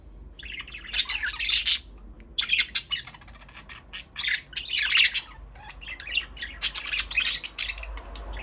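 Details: Budgerigar parrots chatter in loud, harsh squawks and rapid chirps, bursts of busy warbling broken by short pauses throughout.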